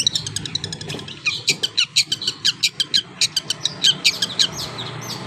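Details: Long-tailed shrike singing with its tail spread: a run of short, harsh high chips and buzzy notes, closely spaced and fairly regular, growing louder after the first second.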